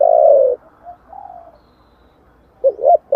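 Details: Giọng thổ style spotted dove song, a lure recording meant to provoke wild doves. A long, strong coo ends, soft quiet murmurs follow, then two quick hollow hoots open the next phrase.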